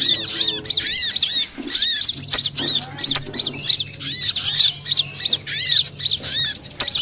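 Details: Sunbird lure call used to attract birds, local types konin, kowul, korlap and sogon: dense, rapid, overlapping high chirps with arched, downslurred notes, several voices at once, continuous for the whole stretch.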